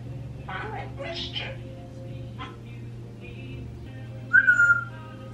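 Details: Indoor pet parrots, a 26-year-old African grey and a 16-year-old Quaker parrot, vocalising while left alone; soft speech-like mumbles, then a clear, slightly falling whistle with a warbled ending, against a constant low room hum.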